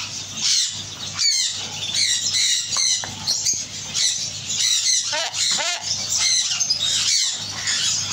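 A macaw gives harsh squawks and chattering, talk-like bursts with rising and falling notes, over a steady low hum.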